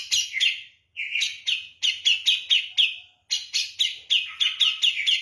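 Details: Javan grey-cheeked bulbul singing energetically in the manner of kapas tembak: short runs of quick, sharp, down-slurred chirps, about four per second, separated by brief pauses.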